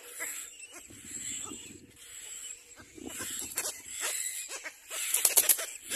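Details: Little black cormorants, both adults arriving together at the nest with their young: low rough grunting pulses near the start and middle, then harsh wheezy bursts, over a steady high hiss.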